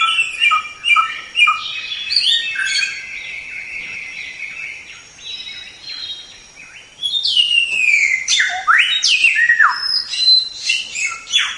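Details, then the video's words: Samyong, the white-rumped shama, sings a varied masteran song: clear sweeping whistles, a sustained level whistled note near the middle, then bursts of rapid rising and falling phrases. "Masteran Suara Samyong"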